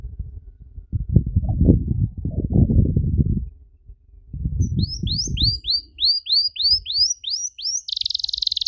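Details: Canary song for tutoring young canaries, 'cengkok mewah' style: low rumbling background noise for the first seconds, then a run of quick high down-slurred chirps ending in a buzzy rapid trill.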